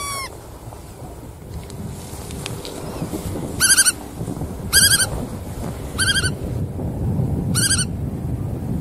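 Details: Bar-tailed godwit (Limosa lapponica) gives short nasal, rasping calls, four spaced one to two seconds apart, over a steady low rumble of wind or surf.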